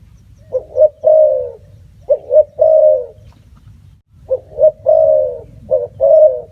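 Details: Spotted dove giving three cooing phrases, each two quick clipped notes followed by a drawn-out, gently descending coo, separated by short pauses over a faint low rumble.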